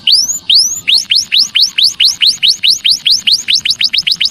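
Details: Calls of Javan munia meant to lure wild birds in. Two slower rising-falling high chirps open a steady, fast run of thin, down-slurred notes, repeated several times per second and slightly fading toward the end.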